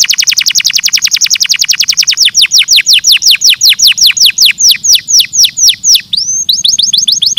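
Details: Canary song offered to stimulate other birds to sing: a fast trill of downward-sweeping notes, about ten per second, slows after two seconds into longer down-slurred notes and ends in rising whistles over a faint low hum.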